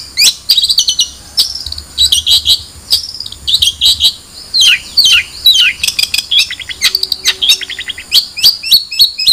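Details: Long-tailed shrike singing a rapid, varied medley of high chirps, trills and downward-slurred whistles, nearly continuous with brief gaps.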